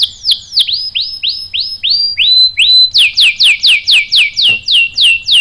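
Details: Canary lure song, played to provoke canaries into answering with a sharp rolling song: a run of clear whistled notes that swoop downward, about four per second, then shift to a higher, slightly faster series of falling notes.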